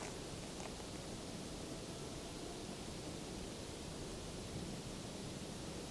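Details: Steady broadband rushing noise, like wind or distant water, with no animal calls.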